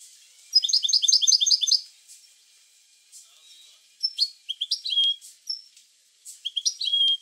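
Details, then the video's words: European goldfinch song, a recording used to stimulate goldfinches to sing: a rapid run of bright, liquid twittered notes repeated quickly, a pause, then shorter bursts of tinkling trills and a thin, drawn-out whistle. "اروع بتبتة لتحفيز الحسون على التغريد"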